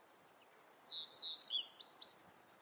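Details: A reed bunting's song phrase: a short series of high, clear, looping notes in quick succession, five or six distinct syllables delivered within about two seconds against a quiet outdoor background.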